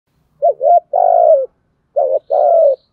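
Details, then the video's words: Spotted dove giving fast cooing meant to provoke other doves: two short coos followed by a longer falling note, the phrase repeated twice, low and mellow, with quiet faint chirps in the background. "cu gáy thúc gù/ tieng cu gay kich boi nhanh noi"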